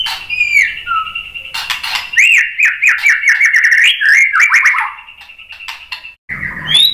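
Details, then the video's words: White-rumped shama song used as a lure to provoke a reply: whistled phrases, a sustained tone near the top with rapid looping notes below, ending in a rising upward whistle. "SUARA MURAI BATU Untuk Memancing EMOSI JADI NYAUT GACOR"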